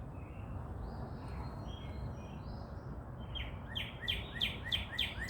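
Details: Birds chirping at sunrise in Dallas, Texas: a run of sharp descending chirps repeated about three times a second, following fainter high whistled notes, over steady low background rumble.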